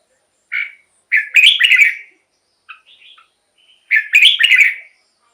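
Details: Song of a red-whiskered bulbul, played to excite caged birds or lure wild birds: a single short note, then a loud tumbling warbled phrase, soft chattering notes, and a second matching phrase.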